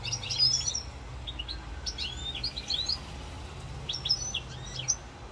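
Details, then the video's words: European goldfinch singing in Corsica, 7 November 2022: lively clusters of high tinkling, slurred twitters in two main bursts separated by a pause, with a faint low rumble underneath. "chant chardonneret rosse corse"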